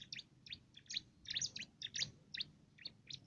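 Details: Canary-like song of a bar-winged prinia, sought for its loud voice as filler for contest songbirds: paired high chirps repeated about two to three times per second.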